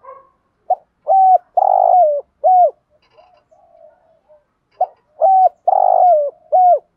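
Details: Spotted dove (Spilopelia chinensis), coo: stimulating decoy doves to respond and coo.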